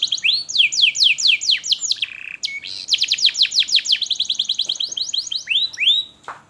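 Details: A canary's energetic lure song for teaching juveniles and coaxing non-singing birds: rolling downslurred notes, a low buzz, then a long fast series of sweeping notes ending in upward whistles.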